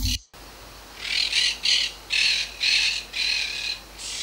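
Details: A House Wren at Punta Indio, Argentina, on a clear, slightly windy winter day gives about seven harsh, buzzy, raspy notes, roughly two per second, each a short scratchy burst over a soft hiss of background.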